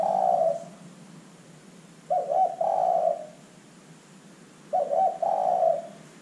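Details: Spotted dove calling actively, used as a lure recording to prompt other doves to call; soft low cooing phrases, one fading at the start, then two more two-part coos about two and a half seconds apart, quiet hum beneath.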